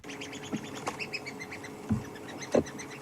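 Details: A flock of red-billed buffalo weavers chatters overhead at sunset during a drive at Djuma in the Kruger area, Africa, with quick high squeaky tweets overlapping, a few low thumps and faint rumble. Red-billed Buffalo Weaver.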